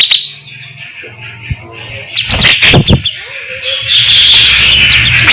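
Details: Loud cucak jenggot, the grey-cheeked bulbul, singing with tembakan shots and rapid besetan: quiet start, then a cluster of sharp harsh bursts, and a sustained high buzzy trill over low hum.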